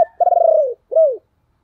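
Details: Luring spotted dove coo, a calling bird meant to draw in other doves: a long pulsing coo sliding gently downward, then a brief gap and one rounded, falling coo.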